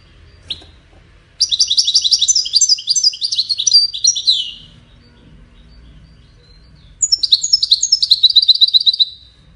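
A European goldfinch sings two bursts of fast, tinkling, high-pitched twitters, each about three seconds long, separated by a short pause. A single sharp note comes first.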